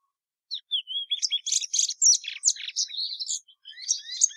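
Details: Song of the plumbeous seedeater opening with soft rising whistles, building into a lively tumble of high, raspy and whistled notes, then fading into thin downslurred tones.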